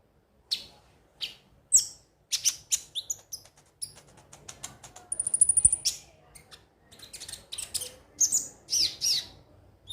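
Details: Konin vocalising as a stimulation track: scattered thin, high clicks and chirps, a sustained buzzy trill in the middle, and a closing burst of rapid squeaky notes.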